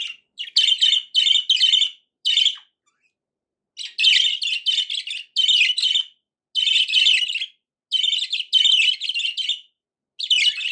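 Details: Budgerigar giving loud, harsh, rasping chirps in tight groups of three or four, the groups repeating about every second with a short gap midway.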